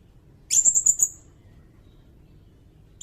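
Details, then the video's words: Sirindet singing, recorded as training material for other songbirds and for luring: one quick run of about six high, piercing notes, then quiet, with the start of another burst at the end. "Suara burung sirindet"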